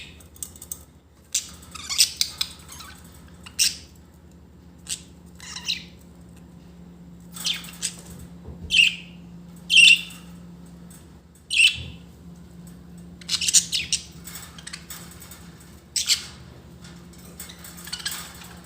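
Budgerigars give scratchy, high chirps and squawks in short irregular bursts over a low steady hum.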